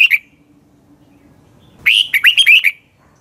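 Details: Morning lure song of a red-whiskered bulbul for training birds. A short note is followed after a pause by one vivid phrase of about six fast, looping whistles lasting under a second.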